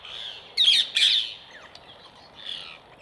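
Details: Two loud, harsh screeches from rose-ringed parakeets eating apples placed on a wire grid, followed by a softer drawn-out squawk.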